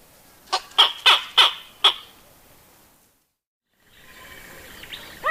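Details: Grey Go-away-bird giving a quick run of five grumpy, harsh yelps in under two seconds. A pause follows, then faint chirping and the start of a rising nasal call.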